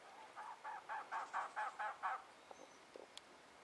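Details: Two well-plumaged male elegant trogons call to each other in the Huachuca Mountains, southeast Arizona, on April 12, 2009: a run of about eight hoarse, low croaking notes, evenly spaced and quick, then a few faint clicks.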